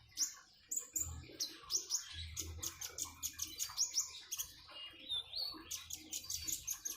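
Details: Common iora with the sound of flowing water: rapid bright chirps and clipped whistles repeated in quick runs, dense high twittering throughout.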